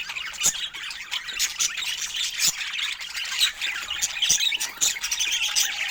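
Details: Budgies in a calm, affectionate exchange of soft love sounds: busy high warbles, chirps and scratchy squeaks overlapping nonstop, a faint steady tone in the background.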